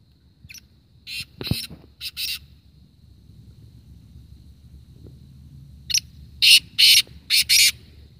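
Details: Black francolin (kala teetar) calling in a contest between birds, recorded in Kohat, Khyber Pakhtunkhwa: harsh, grating bursts in short groups, a few early then a louder rhythmic run of four or five, with a faint steady hiss and a low knock.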